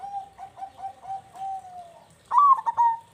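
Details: Local zebra dove with a big 'kung' voice, played as a lure to get quiet doves calling. A series of soft, level, stuttered coos runs into a louder, higher, bubbling cooing burst at the end.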